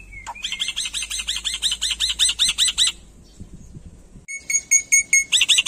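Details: Black-winged myna in vigorous song: long fast series of scratchy, buzzy notes repeated about five times per second, a short gap, then a brighter run of sharp, metallic chattering notes.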